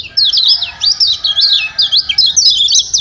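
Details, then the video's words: Lombok yellow white-eye (kecial kuning) calling to provoke song from a quiet bird: a continuous fast stream of high wavering twitters and zigzag chirps, loud and unbroken. "Ciak Ciak Kecial Kuning Joss Perangsang Ampuh Bikin Kecial Malas Bunyi Jadi Gacor"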